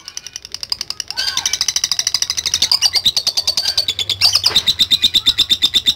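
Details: Lovebird in full voice, recorded as a training recording of its long 'ngekek' chatter: a rapid, dense stream of high, sharp chattering notes, about fifteen per second, starting after a brief quiet lead-in and running on unbroken to the end.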